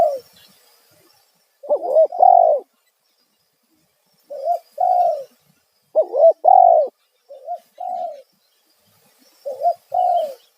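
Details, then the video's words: Loud 'kuk satu' lure call of a spotted dove used to attract wild birds. Repeated groups of soft, throaty coos, each group ending in a longer drawn-out note, recur about every two seconds against a quiet background. "Panggilan suara tekukur kuk satu suara lantang auto burung liar respon"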